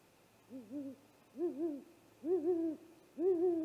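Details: Deep hooting of a great horned owl attacking a great gray owl at its nest, live camera, 00:03 on 30 March 2018; four hoots in a row, each louder and fuller than the last, with a wavering two-part shape.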